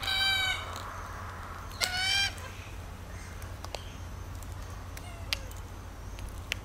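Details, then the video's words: Red-tailed black cockatoo giving two harsh, grating, harmonic-rich calls, one at the start and another about two seconds later, followed by quiet outdoor background with faint clicks. "Red Tailed Black Cockatoo"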